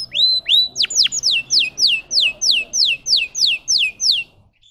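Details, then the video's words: A canary of the Russian singing breed repeats clear downward-sliding whistles about three times a second after two opening upswept notes, bright and regular, ending abruptly. "The singing of a canary. Melodies Canary Bird song"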